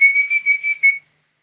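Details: Young lesser green leafbird in vigorous song, holding a steady, pure whistled tone broken into about six pulses over one second before stopping abruptly.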